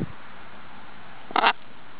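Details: A pet macaw that imitates laughter gives one short, loud, raspy burst like a quick laugh; the rest is quiet room background.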